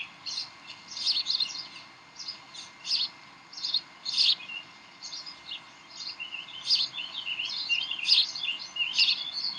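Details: Nest scene of Decorah bald eagles, 18 May 2012 around 7:45 pm, during tug of war and playing; high squeaky chirps, first in spaced bursts, then a busier stretch of overlapping rapid chittering toward the end.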